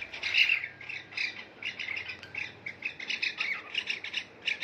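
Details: Two pet cockatiels bathing in a water bowl give bright harmonic chirps and squawks, short notes in quick clusters, some louder and harsher, repeated with little pause over several seconds; no other clear sounds.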